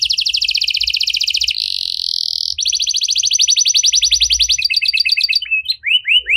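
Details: Canary in cengkok mewah, a luxurious song style played to set other canaries singing: fast high trills, a sustained buzzy rolling note, another long rapid trill, then separate upward-curving whistled notes.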